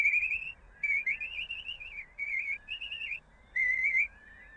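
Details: The one known recording of the now-extinct Slender-billed Curlew: a run of about six clear, wavering whistles, each rising then slurring, under a second apart, over a faint low hum.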